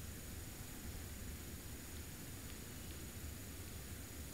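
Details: Even hiss and low rumble with a thin steady electronic whine, and no animal sounds.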